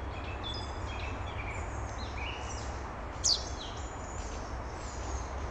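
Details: A recently fledged chaffinch chick, just out of the nest, in Moscow's Main Botanical Garden on 14 June 2007, gives thin, high whistled notes, mostly faint, with one sharper falling note, over a steady low rumble of wind or distant traffic.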